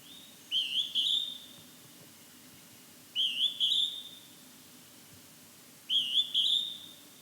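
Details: A Hodgson's hawk-cuckoo in fog gives three loud paired whistles roughly every two and a half seconds. Each has a sharp upswept first note and a longer, slightly rising second note. No other sound stands out.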